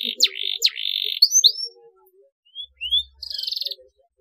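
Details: Canary chirping aimed at encouraging quiet canaries to sing: two sharp downward-swept notes with buzzy tails, scattered rising whistles after a short gap, then a brief pulsing roll.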